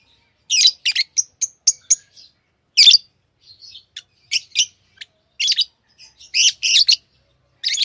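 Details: Pet lovebirds chatter with a fast run of sharp high chirps, then louder harsh squawks and softer twittering notes spread irregularly throughout.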